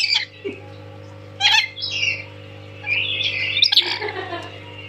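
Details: Tame lory (nuri) calling shrilly: harsh squawks and whistled notes in several bursts, the last one long and sustained, over a steady background hum.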